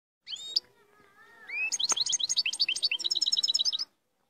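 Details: European goldfinch singing strongly: a few high, sweeping whistles, a pause, then a rapid, tinkling run of bright twittering notes, fast and uneven, ending abruptly.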